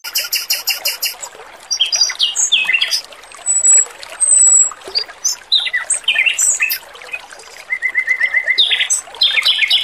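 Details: Male robin in a training recording paired with trickling water: varied bursts of high chirps, squeaky slurred notes and short whistles, broken by brief pauses, over a soft running-water hiss.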